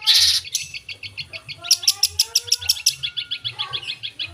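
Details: Long-tailed shrike in loud full-isian song: an opening harsh rasp, then a fast string of sharp high ticks, with a thin lower whistle sliding underneath midway.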